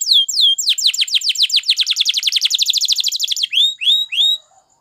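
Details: Spanish Timbrado canary singing for training: a couple of drawn-out falling whistles, then a long rapid series of descending slurred notes, ending with three separate upswept chirps.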